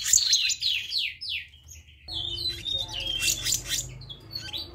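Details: Black-naped monarch in a lure recording, with rapid downslurred whistled notes in quick succession, then buzzy, scratchy bursts mixed with short high chips and a low background hum.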